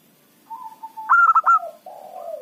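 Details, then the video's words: Local zebra dove calling as a trapping decoy: a level hummed coo leads into a loud, clear burst of rapid trilled notes, then trails off in lower, descending purring coos. "perkutut lokal gacor pancingan ampuh suara keras kecil cocok untuk pikat lawan"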